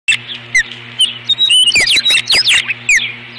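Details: Osprey at its nest on 21 April 2015, defending it from an intruder: rapid series of sharp, high whistled notes, many slurring downward, given in quick bursts with short gaps, over a steady low electrical hum.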